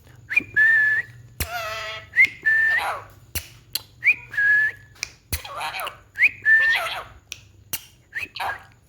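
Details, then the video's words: Ringneck parrot kept as a talking pet repeats a two-part whistle, a quick rising note then a level held tone, about four times, mixed with voiced speech-like sounds and loud clicks. "Talking parrot Natural sound"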